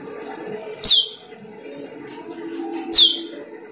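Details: Asian glossy starling used as a lure call: two piercing, steeply falling whistled notes about two seconds apart, with soft scattered chirps and a low background hum between them.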